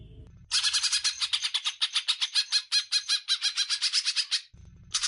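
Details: Greater green leafbird song from a recording used to train other birds: a rapid, even series of harsh, rasping notes, about eight per second, lasting four seconds, with brief low rumbling before and after.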